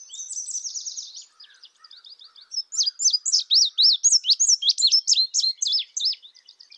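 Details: An indigo bunting sings a quick run of loud, high, upslurred and downslurred chirps for about four seconds, following a fading buzzy trill and soft twittering.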